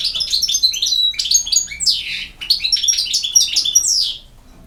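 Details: Campero-style song of a European goldfinch, a dense, fast stream of bright tinkling chirps mixed with clear whistles and a harsh descending buzz midway.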